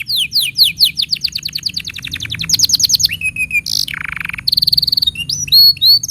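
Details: Canary tutor song for training young birds and prompting silent canaries: repeated downswept whistled syllables in a fast tour, quickening into a rattle, then a low buzzy trill, a high ringing burst and looping whistles.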